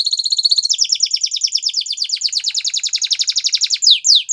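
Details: Canary singing used to train young canaries: a long even trill of rapid repeated notes, shifting tour partway through, ending with two loud falling slurs.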